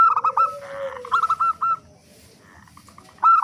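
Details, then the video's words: Local zebra dove singing loudly as a lure to set other doves singing: a few rapid coos over a sustained low tone, a trill of clipped notes, quiet gap, then a fresh coo burst. "Perkutut Lokal Gacor Suara Besar Pancingan Burung Perkutut Agar Cepat Bunyi"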